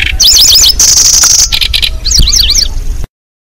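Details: Lanceolated Warbler lure recording used to attract and trap birds: zigzag high whistled phrases, then a steady high insect-like reeling trill, then more looping whistles, over low background rumble.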